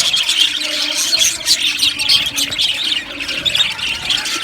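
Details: Budgerigar flock in an aviary, with sharp high chirps and whistled squeaks layered over constant soft warbling chatter from numerous birds.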